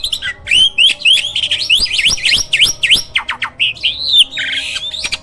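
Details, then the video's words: Hybrid myna, a master bird for training other songbirds, pours out fast repeated swooping whistles, several sharp chips and a closing buzzy, rasping burst. "JALAK HYBIRD GACOOR!! MASTERNYA PARA JUARA."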